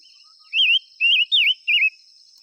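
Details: Decoy song of a five-coloured bird calling wild birds: four bright, trilling, wavy whistled phrases, each about a quarter second, delivered back to back with a faint steady whine behind.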